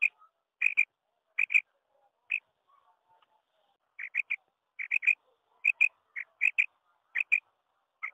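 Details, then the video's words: Female quail (batair) giving its "kirak" call, used for quail hunting in season: short, high, sharp notes, mostly in quick pairs or triplets, repeated about every second in irregular bursts; nothing else heard. "female quail voice_ بٹیری کی آوا ز"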